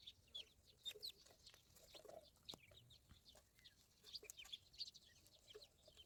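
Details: Young ducklings cheep with sharp, high, clipped notes, spaced irregularly and sometimes in pairs, over a quiet background.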